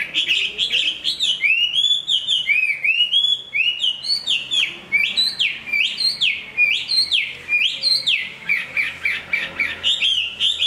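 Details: Chinese hwamei, large-bodied, good at singing and fighting, growing in fresh plumage, pours out a sustained, fast series of bright whistled notes. Many notes sweep sharply up then down, repeated in quick succession for over ten seconds.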